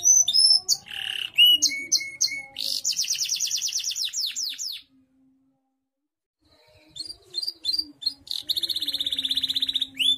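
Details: Canary song of the contest type, also used for tutoring other birds: clear piping notes and a rolling trill, then about two seconds of silence, then more short whistles and a long buzzy high trill.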